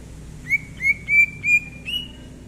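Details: Greater green leafbird singing at ease in January 2022, five pure, drawn-out whistled notes at an even pace, each swelling then fading, the final one slightly higher and softer, over a faint low hum.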